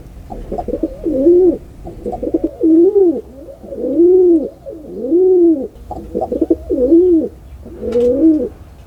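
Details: Pigeon cooing steadily, a series of six or seven bowed, rumbling phrases each opening with short stuttered notes, repeating roughly every one to one and a half seconds.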